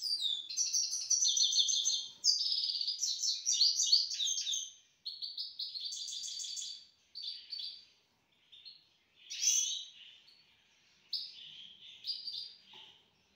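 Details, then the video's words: Grey-headed goldfinch kept as a pet in Istaravshan, Tajikistan: energetic twittering and trilled phrases for five seconds, then shorter separated bursts of chirps and whistles with brief pauses between them. "Мой седоголовый щегол город Истаравшан"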